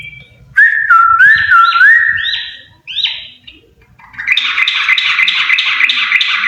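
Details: A pair of yellow-vented bulbuls: clear looping whistles that wobble up and down, a few rising upslurred notes, a short lull, then a dense, fast chattering warble to the end.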